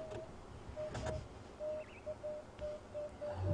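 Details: Emerald-spotted wood dove (Turtur chalcospilos) calling at sunrise on a morning safari drive, 3 September 2015: soft, low hooting notes, about eight in a loose series over three seconds, over vehicle engine rumble, with a brief higher whistle from another bird.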